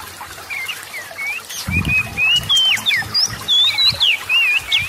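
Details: Oriental magpie-robin song intended to spur quiet birds into singing: soft whistles, then a lively run of looping, wavering whistled notes about three per second, with a low thud near the middle.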